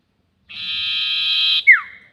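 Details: A single long harsh buzzing note from a sirtu bird, used to lure birds for trapping, ends in a brief, clear whistle that falls in pitch.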